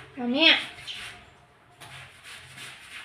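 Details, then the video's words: A pet parrot saying "mummy" in a squeaky, rising-and-falling voice, one clear word followed by quiet room noise and faint background hiss. "Parrot talking papa || mummy bolne wala tota"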